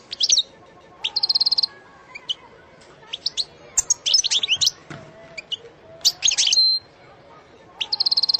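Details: Goldfinch delivering scattered bursts of sarsara trilling: short fast trills, separate sharp chirps and twittered phrases broken by quiet gaps, with a closing trill.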